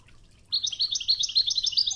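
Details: Goldfinch of the Ouidane song style on a training tape with river water sounds; a dense, fast, bright chain of high twittering notes starts abruptly and runs on without pause, with soft water murmur beneath.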